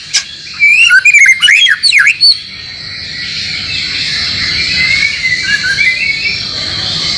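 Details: Song for training a caged white-rumped shama: a brief dense flurry of quick chattering and swooping whistles, then softer rising whistles fading under a steady high hiss.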